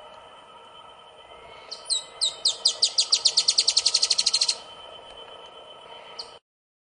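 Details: A Dusky-tailed Antbird in Rio Grande do Sul, Brazil, on 4 October 2016 sings a high series of about fifteen sharp, buzzy notes that speed up and grow louder, over a steady insect-like hum.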